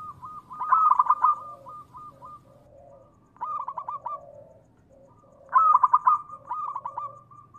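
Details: Zebra dove of local Indonesian stock, singing to draw other doves to answer. Three bursts of fast, stuttering coos with a bright rising note. Quieter lower coos fill the gaps between bursts.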